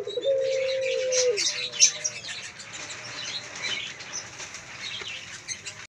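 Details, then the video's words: Male puter pelung dove, a bred dove kept at a bird farm and singing actively, gives one sustained low coo of about one second. This is followed by wing flutters and scattered high chirps from other birds. "Puter pelung jantan gacor"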